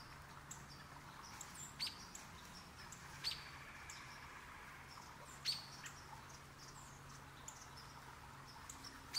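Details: A male Downy Woodpecker in the morning, mostly eating, gives sharp, irregular pecks about every two seconds, with a soft, steady background hum.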